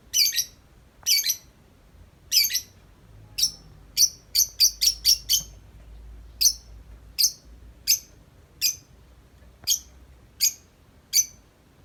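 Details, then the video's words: Tame lovebird, outside the cage, in long nonstop 'ngetik' chatter: a steady run of crisp, high, ticking chirps, briefly quickening into a rapid cluster midway, over a quiet background. "Lovebird Jinak Ngetik Panjang Nonstop 10 menit di luar Kandang"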